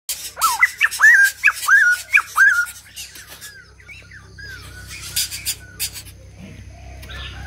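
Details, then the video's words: White-crested laughingthrush singing: a run of loud, clear, rising whistled notes repeated about every half second for nearly three seconds, then quieter fading phrases with a low background hum. "Chim Bạch Đầu Ông / Hót Đỉnh Cao"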